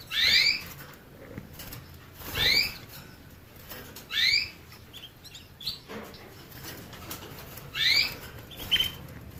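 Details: Canary giving clear, sharply rising chirps in pairs, separated by gaps of one to two seconds, with soft hiss and light clicking in the background.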